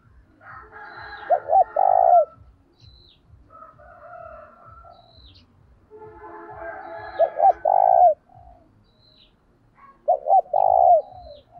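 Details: Spotted dove calling as a decoy to lure other doves, in a lively urging voice: three loud low coo phrases of two quick notes and a falling long coo, with layered softer coos and steady low rhythmic thumping.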